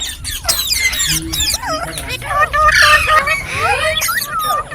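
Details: Green parrot calling in a steady stream of short whistled chirps, about four per second, mixing rising and falling curves with some buzzier squawks.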